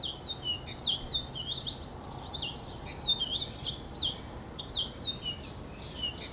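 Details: Purple finch singing a rapid, rambling warble of high slurred and down-swept notes that runs continuously, over a constant hiss of background noise.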